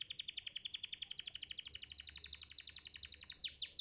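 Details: Champion competition canary song used as training audio for young canaries: a fast, steady trill of rapid high notes, about three per second, running the whole stretch and ending in a few sweeping upward notes.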